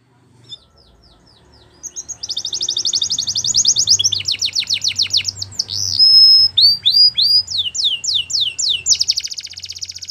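A Belgian canary sings loud, high, rapid trills and rolling phrases that change every second or so, over a faint low hum.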